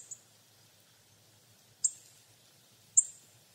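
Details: Hawfinch, Coccothraustes coccothraustes, giving three sharp, very high clicking ticks spaced over a few seconds, the first faint and the last two stronger, against a quiet background.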